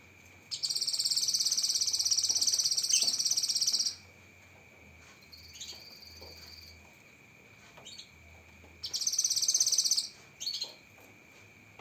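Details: Cucak kinoi singing sharp 'tembakan' phrases as tutor material: a long, fast, high pulsed trill of about three seconds, a softer brief burst, then another loud trill, with a constant thin whine behind.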